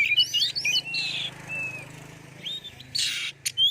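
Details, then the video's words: Oriental magpie-robin song played to provoke other birds into singing: short high whistled notes and slurred phrases, a drawn-out whistle, then a harsh buzzy burst, over a low steady hum. "Terapi pancingsn suara kacer gacor"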